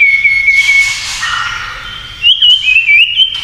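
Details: White-rumped shama, kretekan song said to provoke rivals: a thin, steady high whistle with slight wavers, a soft hiss in between, then a brighter wavering whistle with quick up-and-down turns.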